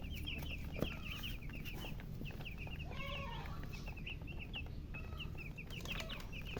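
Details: Baby chicks chirping alongside a hen: rapid, continuous high peeps, each a short falling whistle, pouring out in dense overlapping runs over steady low rumble, with a few clicks.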